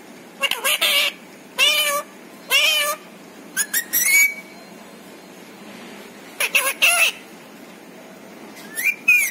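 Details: Talking pet parrot voicing words it has learned from its family; several short speech-like bursts in two clusters, a quieter stretch in between, and a rising whistled note at the end.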